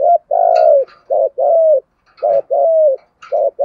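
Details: Lure spotted dove with a thổ-style deep voice, urging coos meant to draw in wild doves; low mellow coos in short-long pairs, the long notes sliding gently downward, with faint soft clicks between phrases.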